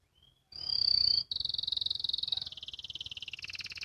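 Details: Young canary practising ngriwik song: soft opening note, loud pure high whistle, then a long rapid rattling trill that steps down in pitch twice.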